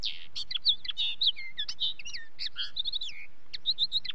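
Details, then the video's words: Common linnet singing continuously: bright, rapid twitters mixed with downward-slurred and wavering whistled notes, varied and unbroken for about four seconds. "Linnet song"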